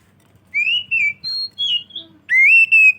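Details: Oriental magpie-robin singing loudly and clearly, a song used as a lure for other magpie-robins: several long, level whistled notes with slight bends, then a gap and a rising whistle into a sustained high note.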